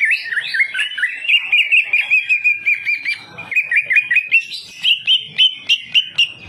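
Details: Champion greater green leafbird (cucak ijo) giving a full, fill-rich training song: a rapid run of bright whistled and chattering notes that wobble up and down, then a string of sharp repeated chips near the end.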